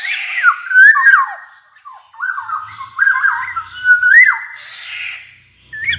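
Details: Black-naped oriole (kepodang emas) singing actively, loud and shrill, its flute-like whistling used to prompt quiet orioles to sing; a nearly continuous run of liquid whistled phrases sliding up and down, with brief pauses and a faint low hum.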